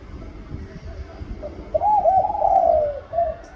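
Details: Spotted dove singing one drawn-out phrase. Soft introductory notes lead into a stuttering double coo and a long, gently descending hoarse note, then a faint trailing coo, over low background hum.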